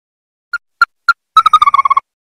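Ruddy-breasted Crake: three spaced, hard notes, then a quick run of about ten notes that drops slightly in pitch. No other sounds.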